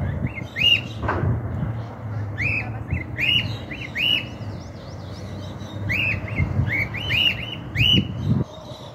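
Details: Escaped, free-flying cockatiel on a house rooftop in 2023, in a region where the species is not normally seen, giving repeated short whistled calls that rise then fall, in quick bursts across the recording, over a low background hum.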